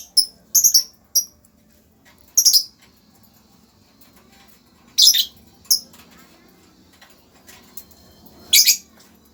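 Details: Lovebird calling with sparse, shrill, clipped chirps, some paired, separated by long quiet gaps, ending in a single loud harsh squeak.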